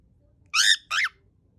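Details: Pet cockatiel, a male, screaming loudly to call out when head stroking stops: two harsh, raspy, high screeches in quick succession, the second slightly shorter and falling, over a quiet room.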